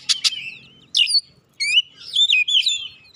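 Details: Oriental magpie-robin lure song for stirring birds into singing: two harsh buzzy notes, then bright rising whistles and a warbled run of slurred phrases, clean and close.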